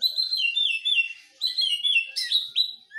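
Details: White-rumped shama in a singing duel, Medan bird versus forest bird from Nias; bright, high, clear whistled phrases that slur downward, delivered in two bursts with a short pause, plus a sharp upward flourish.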